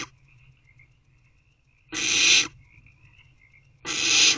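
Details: Barn owlets squirming in a nest box at 10:26 pm on 3/5/24 give two long, harsh, breathy hisses about two seconds apart, with a faint steady high tone running in the background.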